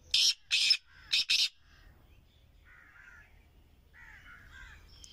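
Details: First call of the season from a Kohati king partridge brought outdoors: four loud, coarse, grating notes in two pairs, then quiet with soft distant chirping from other birds.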